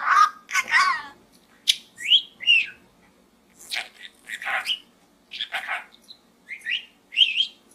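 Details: Budgerigar kept as a pet, chattering within a small gourd; mimicked speech-like phrases mixed with bright upslurred whistles and scratchy trills, delivered in uneven clusters.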